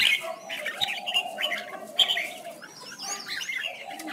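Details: Contest song of a red-whiskered bulbul performing a wing-spreading dance display, a lure recording for training birds: clipped whistled notes and quick chirps, with thin rising and falling whistles near the end.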